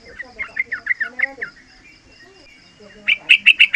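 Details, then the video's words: Three-month-old yellow-vented bulbul's song used to draw out and train other bulbuls: a string of slurred, bouncing whistled notes, a brief pause, then a fast burst of sharp loud chirps, with a steady faint high tone behind. "Panggilan trucukan muda AMPUH buat Pancingan trucukan agar bunyi ropel"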